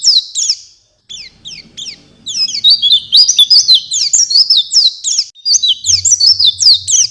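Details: Oriental white-eye song with another bird responding: a few separated high chirps, then a dense excited warble of rapid rising and falling whistles; a low hum enters near the end.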